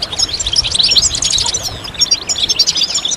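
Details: European goldfinches in group twittering for song stimulation, high bright chirps and fast metallic twitters pouring out without pause, several birds overlapping.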